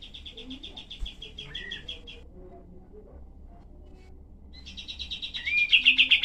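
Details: Cream-vented bulbul, valued as a tutor for songbirds, uttering dense, sharp rough-voiced bursts: a fast chattering run of high notes, a quiet pause with faint background hiss, then another rapid burst that swells louder at the end.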